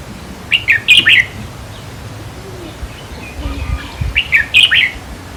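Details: Red-whiskered bulbul song from decoy trapping, meant to excite caged birds: two lively phrases of four or five quick chirped notes roughly three and a half seconds apart, with soft rustling between.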